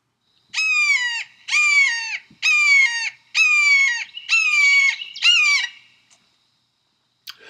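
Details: A genuine red-shouldered hawk gives six loud, harsh, downslurred kee-aah screams, about one per second, with a brief pause near the end. Blue jays mimic this call to make other birds flee so they can keep food to themselves.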